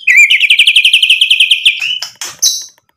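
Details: White-rumped shama (murai batu) in full, vigorous song, used as a lure to provoke other birds into answering. A fast, even run of about fifteen sliding whistled notes, followed by a few harsh, buzzy bursts and a high, sharp final note.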